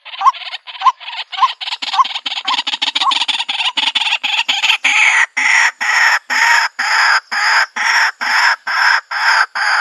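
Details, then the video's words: White-breasted waterhen, recorded in the countryside for a bird trap, gives loud, harsh, croaking notes, starting as quick short clucks, then settling into a steady pulse of about two per second. "Bird Sounds White breasted Waterhen Bird ( Water Cock Soun)"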